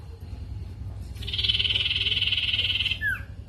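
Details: Lure song of a mangrove whistler, played to draw a reply from another bird: a rapid pulsed buzzing trill of nearly two seconds, ending in a quick downward-sliding whistle, over a low steady rumble.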